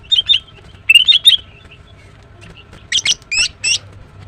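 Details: Green cucak female, the greater green leafbird, chirping in the morning. Two sets of clear whistled twitters give way, after a pause, to four rasping, buzzy chirps.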